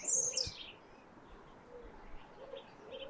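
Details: Frosty winter sunrise near Twickenham on the Thames, morning chorus: a bright, high twittering burst opens, then quieter, soft, low hooting notes repeat intermittently against a faint outdoor hush.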